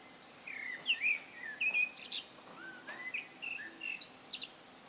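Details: Solo song of a wild common blackbird: mellow fluting whistles, some sliding down and some rising, run into a steady phrase with thin high twittery notes mixed in.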